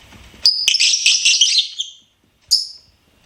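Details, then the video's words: A pet lovebird chatters in a fast, scratchy burst lasting over a second, then falls silent before one last sharp squeak. "LOVEBIRD SINGING & CHIRPING SOUNDS"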